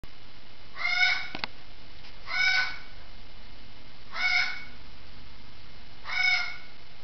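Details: Parrot squawking from the next room indoors: four loud, harsh, harmonic squawks, each about half a second long, spaced roughly one and a half to two seconds apart over a quiet room hum.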